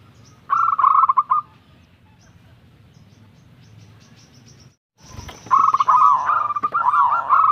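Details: Local zebra dove, young bird, delivering a burst of quick trilling coos, then after a short break a longer rolling phrase of bubbling, wavering coo notes.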